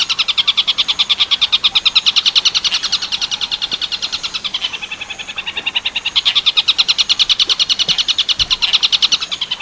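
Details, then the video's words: Long-tailed shrike singing tengkek buto werkudoro style for training other birds: continuous fast scratchy pulses, swelling and fading in phrases with a brief dip midway. "MASTERAN TENGKEK BUTO WERKUDORO JEDA 10 DETIK | SUARA JERNIH NEKEN TEMBUS"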